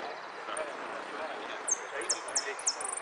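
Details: Repique-style song of a saffron finch at a Monte Grande singing contest, 03 11 13: four quick, very high downslurred chips rising in tempo, set against loud background talk.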